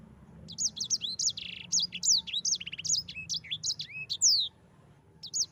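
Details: Yellow-fronted canary delivering an extended rolling ngerol song used to train other canaries: a continuous string of quick high whistles, slurs and a buzzy trill, tapering off near the end.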